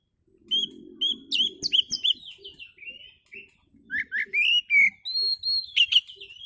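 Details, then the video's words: Oriental magpie-robin's relaxed lure song: a long run of varied whistles, slurred upslurs and downslurs, buzzy phrases and clear steady notes, delivered in quick succession over a faint low background hum. "kicau Kacer santai ampuh buat pancingan"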